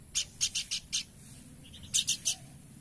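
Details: Horsfield's babbler giving a run of five scratchy, buzzy notes, then after a pause three more, over low steady background noise.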